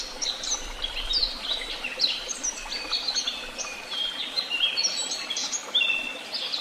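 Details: Tehidy Woods birds chorus continuously, with bright high tweets, short descending whistles and rapid chattering phrases layered over one another and no pauses.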